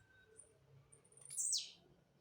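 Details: {'caption': 'Blue-black grassquit, a jumping singer, gives one brief high buzzy note that slides steeply downward over a low, steady background hum.'}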